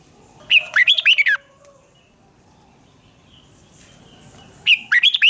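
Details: Singing-duel phrases of a red-whiskered bulbul, used in training to push young birds to sing: two loud bursts of rapid warbled notes, one at the start and one near the end, with a quiet gap between them.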